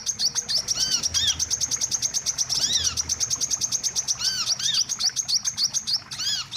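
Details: Bird-trapping lure of the wiceh: an unbroken rattle of high, tinny chirps, with a few louder arched notes standing out near the start, middle and end.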